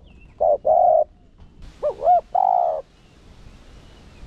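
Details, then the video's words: Spotted dove decoy cooing to provoke rivals: a short-long coo pair, then a wavering double note and a long low hoot, before quiet background. "Chim cu gáy mồi cây Gù, Thúc giọng sát bổi kích bổi nhanh gáy/kích bổi gáy cực sung"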